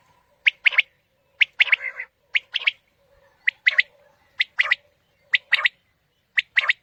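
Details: Quail call played to attract quail for hunting in the morning: crisp repeated phrases of one note then a rapid double note, about one phrase per second, some phrases slightly drawn out.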